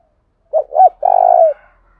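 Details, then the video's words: Decoy spotted dove of the thổ đồng voice type calling to draw in wild doves: a pair of brief low coos, the second arching upward, followed by one sustained vibrating croo that slides down at its close, with silence around it. "tiếng cu gáy thúc bổi, Tiếng cu gáy mồi chuẩn"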